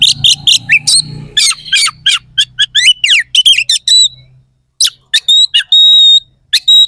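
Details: Oriental magpie-robin (kacer) in full song with harsh, sharp "isian kasar" fill-ins, used to provoke rival kacer before contests: rapid bursts of scratchy high notes and steep downward sweeps, ending with pure drawn-out whistles.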